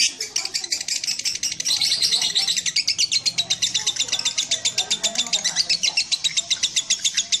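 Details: Lovebird song, a long, dense, high chattering trill of rapid buzzy notes, about four per second, running almost nonstop for seven seconds with slight rises and falls in loudness.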